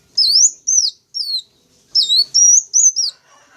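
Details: Wild-sunbird lure of the wulung, kaca and jentit types: clean, high upswept and downslurred chirps, singly and in quick pairs, with silence between.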